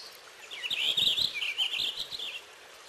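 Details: Purple finch song: a fast, rich warble of high whistled notes rising and falling, lasting nearly two seconds over faint background hiss.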